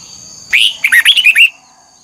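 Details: Single phrase from an old wild-caught red-whiskered bulbul training its twisted double-note song: a loud rising opening note then five rapid, clear slurred whistles over about one second, against a faint steady high hum.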